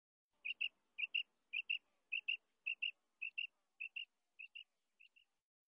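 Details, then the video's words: Female quail calling, a recording used for hunting: clear high paired notes, each pair a quick double chirp, repeated roughly every half second and fading toward the end, with no other sounds. "Femail bater|mada bater|madi bater|best quail voice|quail hunting voice"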